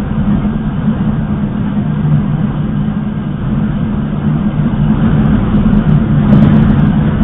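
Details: Steady loud rumble of a vehicle or aircraft engine fills the recording, with no animal voice heard.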